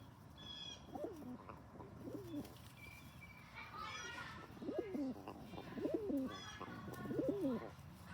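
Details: Male rock pigeon bullying other pigeons and getting very vocal: a series of five or six throaty, bending coos at irregular intervals, with faint higher chirps from other birds.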